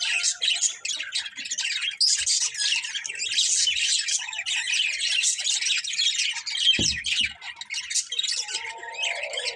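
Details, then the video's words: A family of budgies keeps up nonstop chirping: fast, scratchy, high twittering from several birds at once, with steady chatter and no pauses, and a brief low thump partway through. "Cute Budgies Chirping Sounds"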